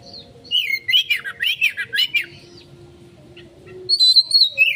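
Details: Oriental magpie-robin (kacer) giving a 'konslet' style lure song for a quick response: a burst of about eight loud, slurred whistles sweeping up and down, a pause, then higher clear whistles and another rapid phrase, over a faint low hum.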